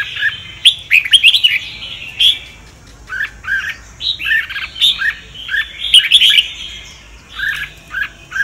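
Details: Red-whiskered bulbul singing the Sông Kon style for training other birds: rich, bubbling phrases of quick whistled and slurred notes in short bursts, repeated steadily with brief pauses.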